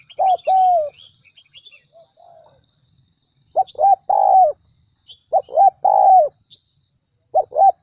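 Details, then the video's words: Central Highlands decoy spotted dove, Vietnam, cooing in phrases of quick doubled notes and a longer descending coo separated by quiet pauses, some soft low notes between; other small birds chirp early on. "Chim Cu gáy mồi đỉnh tây nguyên"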